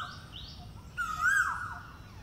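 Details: A male Asian koel making breeding calls in spring on the outskirts of New Delhi gives a loud, clear whistled note that swells upward then falls away, with fainter high chirps from other birds early on.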